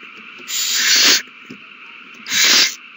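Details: Owl nest frenzy over a mouse, 21 March 2020: two long, drawn-out screeching hisses, each about three quarters of a second, rising in loudness, with soft rustling between them.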